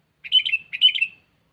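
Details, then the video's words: Sooty-headed bulbul calling a rival as a lure: two short, bubbly burbled phrases, each about a third of a second, separated by a brief pause. "Suara Burung Pikat Kutilang Cengkeram || Kutilang Memanggil Lawan"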